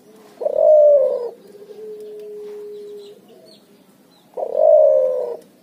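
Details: Cuhu, a hybrid of Barbary dove (puter) and spotted dove (tekukur), calling busily in ngoar-nguku style: two low hoarse coos with a slightly falling end, separated by a steady faint humming tone.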